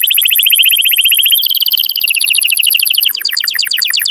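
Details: Canary singing to prompt mating: fast regular trill of pulses, rising to a higher continuous rolling tour after about one and a half seconds, then shifting to crisp repeated chopped notes.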